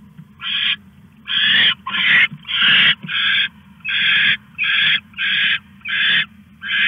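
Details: Owl caching a rat at 1:41 AM, August 21, 2015. A steady run of about ten hoarse, hissing screeches, each roughly half a second long, comes in quick succession with low hum beneath.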